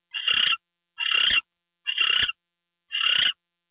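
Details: Four harsh, hissy screeches from an owl during a gopher delivery late on the night of February 2, 2013, evenly spaced about a second apart.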